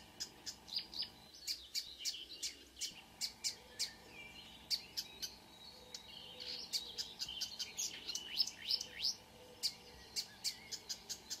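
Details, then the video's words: Marsh warbler (Acrocephalus palustris) singing at 5 a.m. on 2 June 2009 at Kråkstad near Ski, Norway: a fast, varied mimicking stream of high clicks, sharp chips and rising whistles, several per second. The bird possibly imitates a car alarm, a Blyth's reed warbler is also audible, and there is a soft hum. "The song of a *Acrocephalus palustris* Myrsanger / Marsh Warbler"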